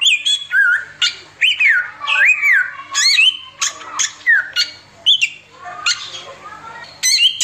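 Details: Oriental magpie-robin singing 'tembakan samyong' style: arched whistled notes rising then falling, short sharp high chips and scratchy bursts, with a few quieter gaps between phrases.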